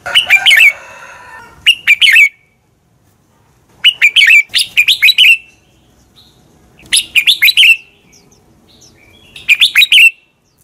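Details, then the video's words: Red-whiskered bulbul fighting song used as a lure for training birds; several bursts of rapid, clear slurred whistled notes, each phrase five to seven notes, repeated every two to three seconds. "luyện chào mào căng lửa, chào mào hót đấu"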